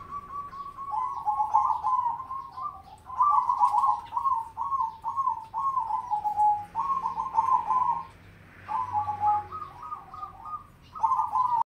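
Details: Actively singing zebra dove of crossbred mocha colouring delivers long runs of rapid, rolling trilled coos, phrase after phrase with brief breaks, the notes pulsing at a steady mid pitch in a quiet setting.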